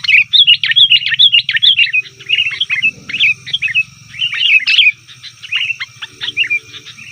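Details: Sooty-headed bulbul in rowdy calling used to attract wild bulbuls: lively, bubbly chatter of quick warbled notes in rapid bursts separated by short pauses, over a steady low hum and a thin high tone.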